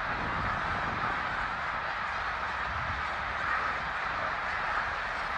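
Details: Thousands of snow geese migrating through Bath in eastern Pennsylvania on 19 January 2021: an unbroken wall of overlapping nasal calls from the massed flock, steady throughout with no single voice standing out, over low rumbling background noise.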